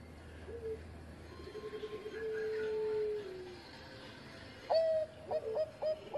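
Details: Zebra dove of the Bangkok type in song, for training other birds: quiet, distant-sounding long drawn coos sliding downward, then a clearer run of short sharp coos. Low hum underneath.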